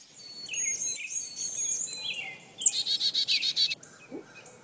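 Carolina Chickadee song: high, clear whistled notes, some sliding downward, followed by a quick run of buzzy, evenly repeated notes.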